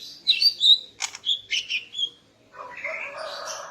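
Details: Greater green leafbird female at morning, calling to excite the male: several bright whistled chirps and a buzzy rasp, then a hissing, noisy patch to the end.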